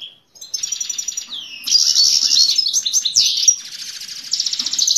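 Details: Male Himalayan goldfinch singing to a female: a continuous bright, high twittering song of rapid trills, buzzy notes and short sweeping whistles.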